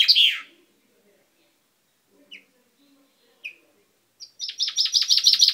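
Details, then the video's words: Caged pet chaffinch, beak newly turned purple, 10 May 2012: a song's closing flourish, two brief chips, then a new run of rapid down-slurred notes starting high and stepping lower. "Mi pinzon cantando"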